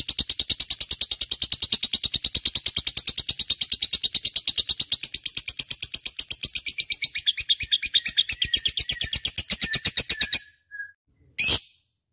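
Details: Vigorous lovebird song used to prompt other birds to sing: about ten seconds of nonstop rapid, high, rattling chatter that gradually thins, followed by a pause and a few brief chirps.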